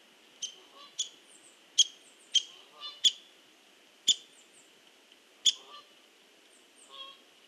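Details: Sharp knocks of a hairy woodpecker pecking at a tree, delivered irregularly about one per second, each a crisp click with a brief ringing tail, over near silence.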